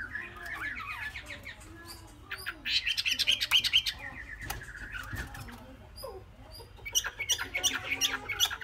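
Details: Chinese hwamei, three months old, a young cage bird noted for its promise. Rapid chattering phrases alternate with bright, loud whistled trills in two strong bursts, with quieter twittering between them.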